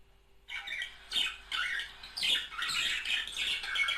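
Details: Budgerigar pair, call meant to stimulate mating: after a short silence, a series of harsh squawks grows into continuous scratchy warbling and chatter with squeaky notes.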